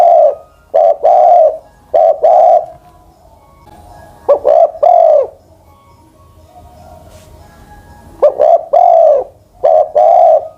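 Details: Aged spotted dove, over ten, used as a decoy, repeats coo phrases in groups: short hiccup notes then a longer mellow coo. A quiet pause in the middle, then cooing resumes.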